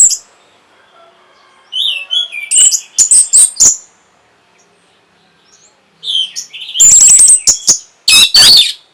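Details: Orange-headed thrush singing to rouse breeding drive and draw a response: after a quiet start, soft slurred whistles lead into clusters of loud harsh notes, a pause, then bright high twittering phrases mixed with rasping bursts.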